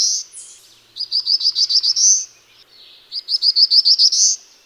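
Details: Black-throated blue warbler giving repeated songs of about seven short, buzzy high notes that rise slightly and finish in a sustained ascending buzz, phrases roughly two seconds apart, faint low background noise.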